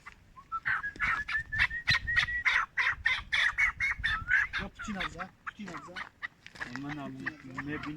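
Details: Chukar partridge, four years old, hand-reared, recorded in Tajikistan in 2021: quick run of rasping chuck notes about three and a half per second for several seconds, then human voices taking over near the end.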